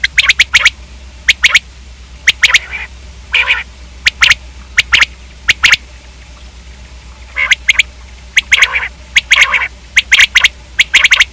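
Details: Common quail calling repeatedly: sharp, clipped three-note bursts in quick triplets, broken by raspy, buzzy squawks around the middle and near the end.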